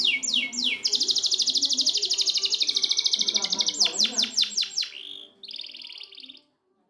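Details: Canary tutor song for canaries that have stopped singing: a few rising notes open into a long, fast buzzy trill, then quick descending strokes and a short final trill before silence.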